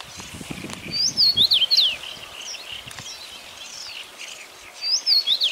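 A common rosefinch gives two short phrases of clear, slurred whistles, rising and falling, about four seconds apart, over faint distant birds and a low background hum.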